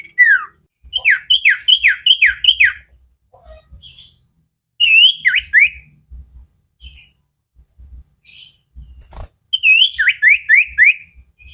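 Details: Training song of a common iora for cage birds: bursts of four or five clear whistled notes, each sliding sharply downward, in three phrases with soft clicks and taps between.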